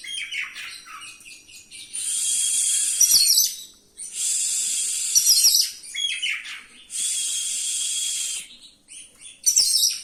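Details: Oriental magpie-robin rolling song full of varied fill-in phrases, used to stir up and boost other magpie-robins: long harsh, hissing bursts alternate with short scratchy and whistled notes, each burst lasting about one to one and a half seconds.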